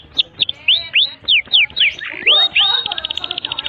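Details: Canary singing a long master song for young canaries: spaced, sharply swooping whistled notes, then a fast high pulsed trill at the end.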